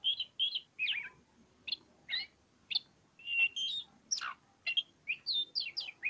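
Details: Oriental magpie-robin in ngobra song, delivering clipped whistled notes and buzzy trills in irregular bursts, some notes high and thin, others lower and rough, with short gaps between.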